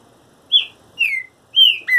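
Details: A trinca-ferro, moulting, sings three to four strong whistled notes that slide down in pitch, evenly spaced about half a second apart.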